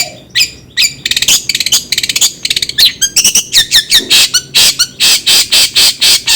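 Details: Long-tailed shrike giving a fast series of harsh, buzzy, broadband notes. The notes quicken into rapid rattling bursts, with a few clipped high chirps between them.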